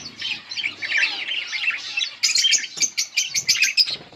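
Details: Pair of yellow budgies keeping up dense high chattering warble, then a run of sharp clicking chirps with some wing flutter toward the end.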